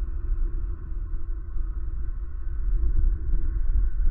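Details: Deep, loud rumbling hum, like wind or engine noise, fluctuating in loudness with no animal calls.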